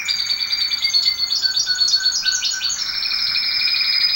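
A domestic canary sings a continuous, high, rolling song of fast trills and chirps, shifting pitch every second or so with no pauses.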